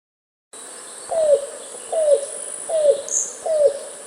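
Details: Yellow-billed Cuckoo, the Texas "rain crow", whose call is said to portend rain, gives four hollow, down-slurred gulping 'kowlp' notes a little under a second apart over a steady high insect-like hiss.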